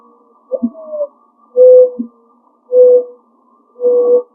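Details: Mourning dove in a tree in a neighbour's yard gives its mournful song: a soft rising, slurred opening note, then three long, steady, low hollow coos about one second apart, with no other birds heard.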